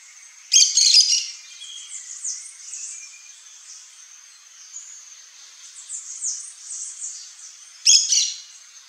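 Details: A pair of Yellow-chevroned Parakeets gives two short, harsh, shrill bursts of chattering, one near the start and one near the end. Between them, a continuous high-pitched background hum of insects or distant birds.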